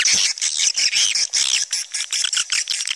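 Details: Swiftlets in a calling sound recording, giving fast, high, buzzy chittering pulses, about two or three per second, in a steady stuttering stream.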